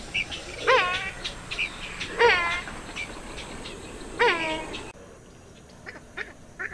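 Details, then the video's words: Purple swamphen giving three loud, nasal, harmonic calls about every one to two seconds, each dropping slightly in pitch, with softer calls after. "صدای طاووسک"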